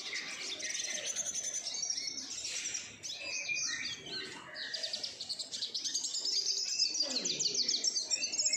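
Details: Several captive-bred siskins kept together at home: dense, fast high twittering and buzzy trills with short whistled notes, many birds singing at once without pause.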